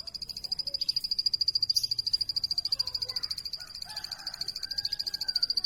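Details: Plain prinia heard at moderate distance, a continuous string of high, rhythmic pulsed notes, roughly three to four per second, with faint lower sounds behind.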